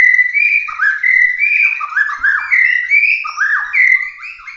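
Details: White-rumped shama of genuine Bahorok stock, kept for competition, pours out 'tembakan' song: loud, smooth whistled notes dipping and rising in quick, unbroken sequence, some with a liquid rolling quality.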